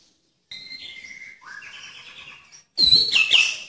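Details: White-rumped shama 'tembakan' song: thin high whistles and a lower sliding note, a short gap, then a loud harsh chattering burst with sharp high accents.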